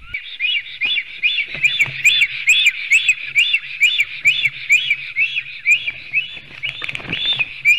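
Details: Latvian black stork nest in Sigulda municipality on 11 June 2020, late morning. A male and female are present, and two males fight, seen on a live nest camera. Shrill chirping notes repeat rapidly and steadily, with a low background hum beneath.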